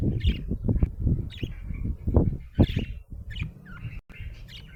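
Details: Happy budgerigar chirping: bright, short chirps and warbled notes scattered irregularly across about five seconds, set against repeated loud, low thumping and tapping noises.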